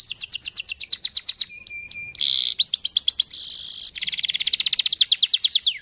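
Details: Canary singing a 'cuit cuit' lure roll to draw other canaries into song: quick repeated high chirps, a flat tone with clicks, buzzy bursts, then a long run of rapid trilled notes.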